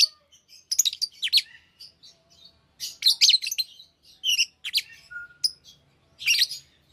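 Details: A lively flock of healthy lovebirds keeps up continuous shrill chattering: rapid clusters of harsh, high screeches and chips, irregularly spaced, overlapping from several birds.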